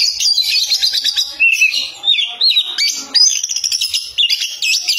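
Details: Oriental magpie-robin pouring out loud song: high whistles, trills and scratchy notes in rapid, varied phrases, with short gaps between bursts and rising, wavering whistled slurs.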